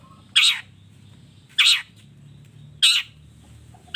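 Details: Long-tailed shrike training track with fill-ins: three loud, harsh, rasping notes spaced a little over a second apart, with a quiet low hum between them.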